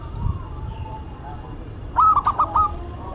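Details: Zebra dove duet between a local and a cemani bird; after a quiet stretch of faint cooing, a clear phrase of four quick, rounded coos bursts out near the end over low background rumble.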